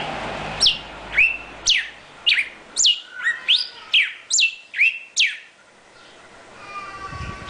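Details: Northern cardinal song: a steady run of about ten sharp, downward-sweeping whistled notes, evenly spaced, fading into low background noise.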